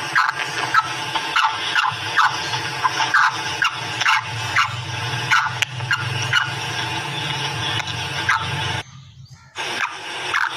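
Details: Female black francolin giving a rapid series of brief, rasping, upward-inflected notes, roughly two per second, against a constant low droning hum; a short quiet gap near the end before calling resumes.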